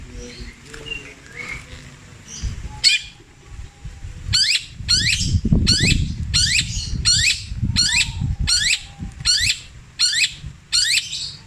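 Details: Long-tailed shrike with a kingfisher, kuntilanak and sparrow mimicry repertoire, petir style, repeated at length. After soft twittering, a string of about twelve sharp, harsh down-slurred calls, one every 0.6 seconds, over low background rumble.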